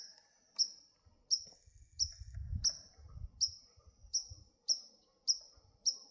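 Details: An agitated White-throated Sparrow gives its sharp, explosive chink call about ten times, roughly every half second, over brief low wind rumble; Heron Marsh Trail, Paul Smith's College VIC, Adirondacks, 19 July 2018, breeding season.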